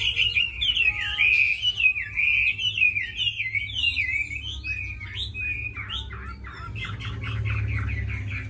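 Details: Tame caged Chinese hwamei, kept as a fighting bird, singing a loud, rich run of slurred whistles that rise and fall continuously, then breaks into quick repeated chopped notes near the end; low steady hum underneath.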